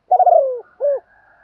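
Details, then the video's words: Female spotted dove calling to prompt males to coo back: a drawn-out, wavering coo that slides downward, then a short arched note, low and mellow, with faint soft cooing trailing after. "chim cu mái gáy gọi kích thích chim trống gáy theo"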